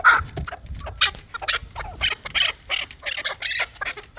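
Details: Fighting chukar partridge calling with scratchy, husky chuck notes in an irregular series of about two per second, over faint low rumble.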